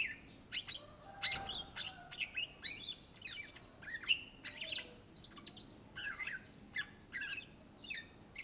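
A greater green leafbird sings a lively, nonstop stream of high, sharp chirps, slurred whistles and buzzy notes in quick bursts, about two each second.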